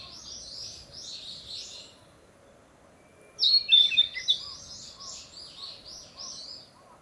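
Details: Territorial song of a Narcissus flycatcher returned to breed in leafy woodland: softer whistling at first, then a loud burst of sharp, sweet whistled notes that trails off into quieter warbling.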